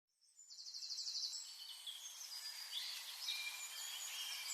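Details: Birds chirping outdoors: a rapid high trill in the opening second gives way to a dense chorus of overlapping high chirps, twitters and thin whistles from several birds, with steady background hiss.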